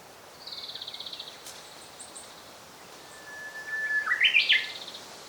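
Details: Japanese robin singing in 2014, recorded on a bird-watching outing. A long, thin, level whistle leads into a loud rattling trill that climbs in rapid steps. Earlier, another bird gives a high, evenly pulsed trill, with faint chirps above.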